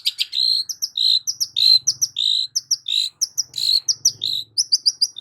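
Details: Long-tailed shrike lure song for prompting a quiet shrike: a busy jumble of high chirps, trills and short whistles in quick irregular succession, with a faint low hum.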